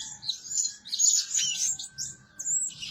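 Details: Blue-crowned hanging parrot decoy, calling tirelessly day and night, makes sharp high squeaks and trills in short bursts separated by small gaps, over a faint steady tone.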